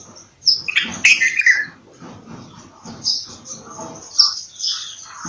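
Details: Bulbul delivering a short cluster of rich, downward-sliding notes early on, then quieter scattered chirps from nearby birds over a faint steady high hiss.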